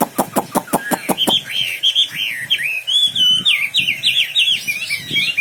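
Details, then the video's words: Wambi bird singing continuously; a burst of sharp rapid ticks opens, then a run of high, wavering whistled phrases that rise and fall quickly, with faint low knocks beneath. "Burung wambi istimewa gacor full"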